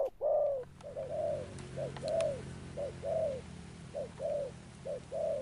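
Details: Newly caught spotted dove cooing in the Sấm Thổ style: paired mid-pitched notes, a short clipped coo then a longer level one, repeated roughly once a second with slight background hiss.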